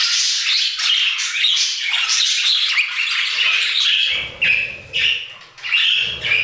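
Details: Aviary budgerigars in full song, unbroken chattering warbles and chirps, then choppier bursts with low rumbling background noise in the last seconds.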